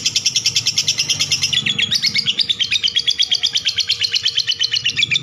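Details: Long chattering lovebird song: fast, even pulses of shrill buzzy notes, the pitch sliding down slightly after the first second and then holding level in an unbroken stream.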